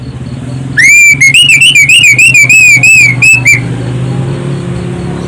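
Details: Lure song of an Orange-headed thrush, loud and piercing: a rapid run of about a dozen looping, warbled whistles at a steady high pitch, delivered in roughly three seconds, with a low droning hum underneath.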